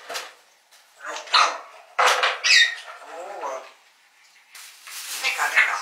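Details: Lilo, an 11-year-old pet grey parrot, chatters in bursts of speech-like mimicry mixed with sharp whistled squeaks while her owner talks to her in between.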